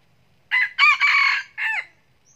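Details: Single crow of a red junglefowl, tied to junglefowl trapping: four-part harsh phrase, rising, sustained, then a short falling last syllable, clean surroundings with no other sounds.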